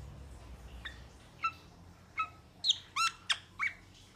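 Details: Short clipped whistles from a metallic starling, at first sparse, then quickening into a cluster of sharp, ringing chirps near the end.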